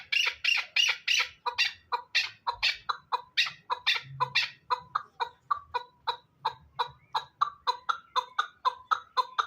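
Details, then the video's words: Hybrid chukar partridge of a fighting line opens with harsh raspy bursts, then settles into a long, accelerating series of crisp chuck notes repeated rhythmically, growing quicker toward the end. "Кабки Гибрид"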